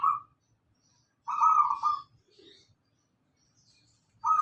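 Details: Local zebra dove song for luring cage birds to sing: one clear, trilled, purring coo phrase in the middle, with the clipped tail of another phrase at the start and at the end.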